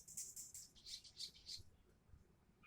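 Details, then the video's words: Crimson sunbird (sogok ontong) in energetic, chattering song: a fast run of high, sharp notes, about six bursts in a second and a half, then fading to near silence with faint low rumble. "SUARA BURUNG SOGOK ONTONG GACOR KONSLET NGOBRA"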